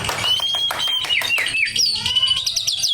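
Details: Male white-rumped shama giving a short burst of song with a long high whistle, quick slurred notes, then a rapid trill of clear upward-swept whistles.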